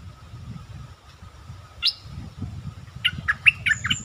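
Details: Stripe-throated bulbul singing actively as a lure: a single upward-sweeping note, then a fast burst of five chattering, warbled notes near the end, over low rumbling background noise.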